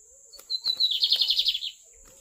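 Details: Lined seedeater in magnata-style song: a thin high note, then a rapid, slightly descending run of about a dozen buzzy chirps lasting just over a second, against a quiet background.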